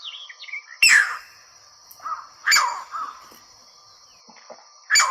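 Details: Green Heron calling, a sharp, piercing, loud squawk repeated three times at irregular intervals of about two seconds, with songbirds chirping and a steady high tone in the background.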